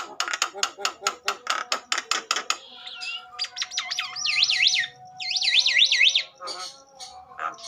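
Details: Agitated Javan myna singing to trigger other mynas to sing: a fast train of harsh rasping pulses, then loud looping whistled notes rising and falling repeatedly, followed by scattered squawks.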